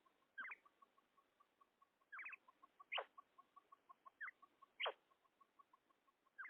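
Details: Female common quail (batair) giving loud sharp clicks and quick rising chirps every second or two, over a steady rapid train of soft even ticking notes.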